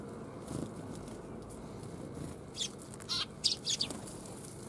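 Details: At a Tenmangu shrine on 1 January 2021, sparrows come for food; after a quiet start, a quick cluster of thin, high chirps arrives in the second half, possibly with wing flutters.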